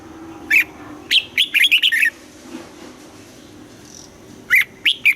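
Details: Red-whiskered bulbul, trained to sing at morning in the double-note 'âm kép già rừng' style, gives a note and then a quick string of six bubbling whistled syllables, starting again near the end.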